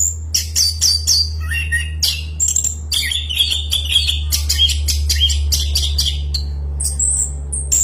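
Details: Loud, continuous orange-headed thrush song in long-roll style, a dense stream of shrill twitters, squeaky notes and quick whistled slides, with a constant low hum beneath.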